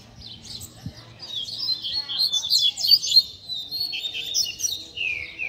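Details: Tutor song of a Double-collared seedeater, played to train young birds and fire up their spirit: continuous high, rapid twittering phrases mixing buzzy trills and slurred whistles, ending in a falling whistle, over a low hum.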